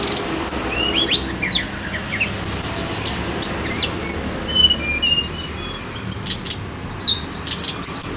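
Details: Sunda robin song used as a lure, thinner against steady hiss: scattered high whistled notes and sharp chirps in an irregular stream, with some faint lower downslurs.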